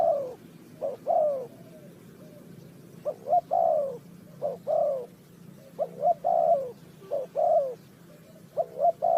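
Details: Spotted dove from Ninh Thuận in a bird-trapping recording giving a run of cooing phrases, each with two short rising notes and a longer coo that drops away, about five phrases with brief gaps.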